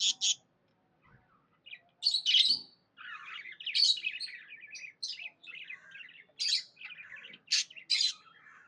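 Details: Happy pet budgerigars chirping: busy warbled chatter of short harsh chirps and squeaky notes, broken by a brief pause after the opening bursts, then dense chattering phrases with loud sharp chips through the rest.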